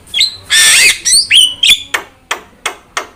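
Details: Javan myna trigger song: a whistled note, a long harsh grating squawk, upslurred whistles, then four evenly spaced sharp clicks.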